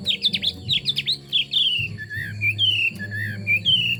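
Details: Chinese hwamei singing a run of rapid, sharp notes, then slower, drawn-out descending whistles alternating between higher and lower pitches, with a persistent low hum in the background.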